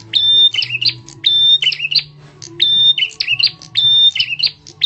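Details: A bar-winged prinia's loud lure call for drawing other birds: high steady whistles, each followed by a burst of lower rasping chirps, in four close phrases over a faint hum.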